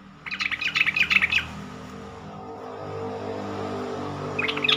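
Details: Yellow-vented bulbul call used to prompt quick replies from other bulbuls and get stressed, silent or newly caught birds singing: a fast burst of sharp chattering notes for about a second, a quiet hiss, then another chatter starting at the end.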